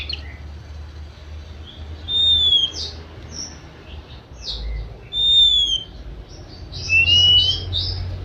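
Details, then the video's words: Oriental magpie-robin singing: clear whistled notes with rising, sliding phrases, spaced by short pauses. A low steady hum runs underneath. "Kicau kacer manja"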